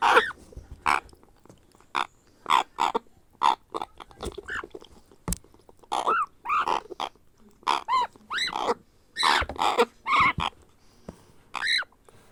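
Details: Hand-fed grey parrot hatchling begging: a fast, irregular run of raspy squawks, some with rising-falling arched tones, growing denser toward the end, with a sharp click near the middle.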